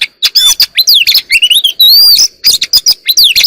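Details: Oriental magpie-robin (kacer alam, chòe than), kept as an ornamental bird, singing early in the morning: loud, dense run of whistled notes, rising slurs and harsh chirps, with a long sustained clear whistle at mid-phrase.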